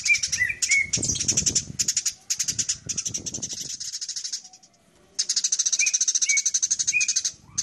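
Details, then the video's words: Long runs of rapid, piercing sparrow chirps during a fight, with a few short lower whistled notes mixed in and a pause of under a second before the chattering picks up again. "SUARA BURUNG : Masteran gereja tarung durasi panjang"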